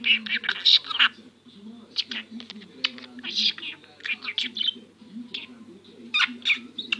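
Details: A pet budgerigar known for copying coughs, sniffs and the Turkish words for "my little son" gives continuous rapid, clicky, high-pitched warbling chatter in uneven bursts, with a low hum beneath.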